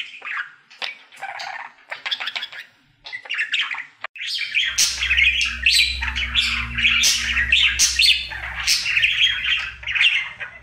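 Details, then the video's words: Daily singing routine of a male pet budgerigar: scattered clicks and chirps first, then a sustained, energetic warble of rasping, chattering notes over a low background hum. "Budgie singing for 1 Hour Happy song!"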